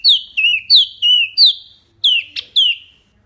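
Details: Wambi song recorded clearly for training kept birds: high downslurred whistles alternating with lower slurred notes, about every third of a second, a pause, then two more sharp whistles with a click between them.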